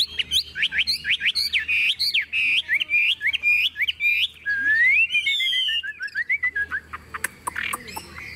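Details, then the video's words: Chinese hwamei, a tame cage bird, in full song while carried in its shaken cage: loud rising-falling whistled phrases repeated rapidly, then a long descending series of clear whistles and scattered clicks. "Họa mi thuần điện căng đét - Xách tay lắc lồng hót đỉnh"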